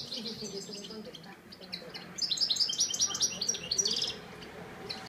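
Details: European goldfinch at El Prat de Llobregat singing a quick, tinkling twitter of high, bright notes, densest in a two-second burst, over a soft low background murmur.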